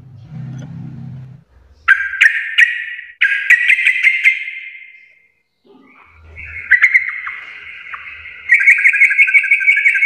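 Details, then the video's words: Sooty-headed bulbul in energetic full garuda-style song: a low hum at first, then separate harsh bursts of clicking, rasping notes, a pause, and a long grating phrase rising into rapid stuttered pulses. "trucukan gacor full Garuda parah"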